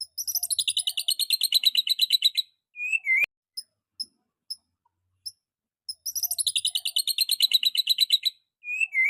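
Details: Young white-rumped shama delivering rapid trilled bursts of high, scratchy repeated notes lasting about two seconds, each ending in a short downward whistle, with sparse single clicks during the gap between bursts.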